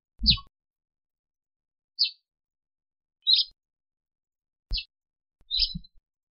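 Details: African sparrow giving five separate short chirps at irregular intervals of one to two seconds, some paired with low dull thumps, in otherwise silent surroundings.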